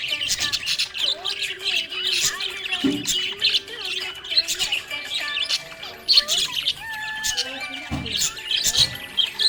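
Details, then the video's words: Happy budgerigar keeping up lively, near-continuous chatter of shrill chirps, squeaks and short rising whistles, a few soft thumps and low tones mixed in below. "Happy budgie chirping sound"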